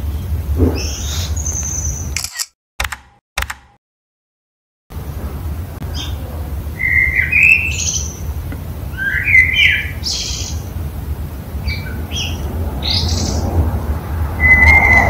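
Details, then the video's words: Common blackbird singing its morning song in a house courtyard, an unusual song; short fluty warbled phrases around mid pitch, broken by high twittery flourishes and brief pauses, with steady low background hum and a short silent gap. "Il merlo | Canto mattutina"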